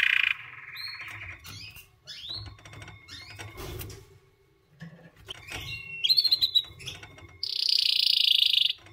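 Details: White canary with broken song phrases separated by pauses: a short rolling trill, scattered chips and upsweeps, then a loud, dense high trill at the end, over low indoor background rumble.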